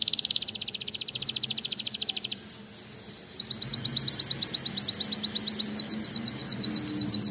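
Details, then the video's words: Breeding-room canary delivering three rapid trills in a row, each at a different pitch, the final one loud, rolling and steady. "O CANTO desse CANÁRIO"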